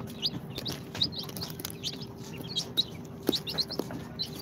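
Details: Two-day-old incubator chicks of Sultan, Golden Sebright, Cochin and booted breeds, heard as sparse, softer high chirps scattered irregularly among light shuffling noises and a low hum.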